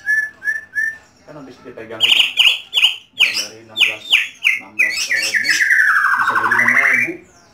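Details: Home-kept white-rumped shama singing loudly indoors. Three short whistles open a fast series of strong, slurred, squawking phrases, then a long, rich warble that rises at the end.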